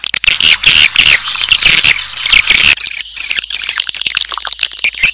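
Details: Lure recording of swiftlets, played to draw the birds in: a continuous, crowded twittering of high, shrill chirps, thick for the first three seconds, then thinning into quicker separate clicks and squeaks.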